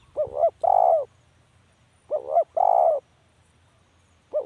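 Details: Repeated spotted dove calls, each a quick quavering double note and then a sustained throaty coo, spaced about two seconds apart, with a faint low hum beneath.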